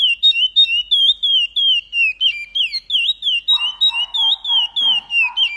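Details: Paracambi song of a chestnut-bellied seed finch, sung with repetition: a rapid chain of piercing whistles, each gliding down or looping upward. From midway a softer, lower pulsing sound runs beneath them.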